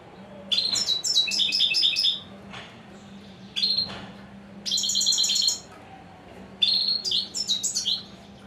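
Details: European goldfinch, lauded as a 'royal' singer, giving three bursts of rapid, bright twittering and tinkling trills with pauses between them, a steady faint low hum in the background.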